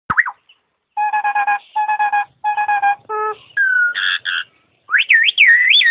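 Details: Starling singing vigorously and melodiously: a short rising-falling whistle, then flat, buzzy harmonic notes in repeated bursts, a lower nasal note, and finally looping whistled phrases that slide up and down.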